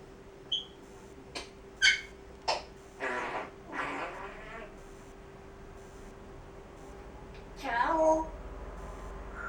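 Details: Grey parrot kept as a house pet voicing part of its repertoire: sharp clicks, speech-like syllables and a squeaky mimicked phrase near the end, over a low room hum.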